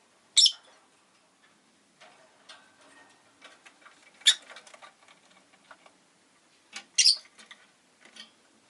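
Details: Pet rosy-faced lovebird producing three loud, shrill, buzzy chirps spaced a few seconds apart, with soft clicks and rustling in a quiet room between the calls.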